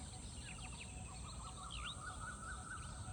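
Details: Birds chirping in the morning, with many short, quick chirps and rising-falling notes overlapping, set against a steady low background rumble.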